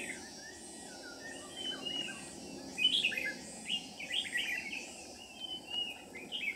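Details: Red-whiskered bulbul lure bird during trapping on 13 May 2019, Ché-type competitive song: a chain of short, varied whistled and warbled phrases, loudest in the middle, over a steady hiss.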